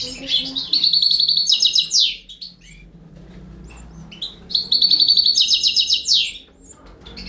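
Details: Balkan-race goldfinch feeding four baby canaries: two bursts of loud, fast buzzy trills on one high pitch, each about one and a half seconds long with sharp chirps between, separated by a quiet pause.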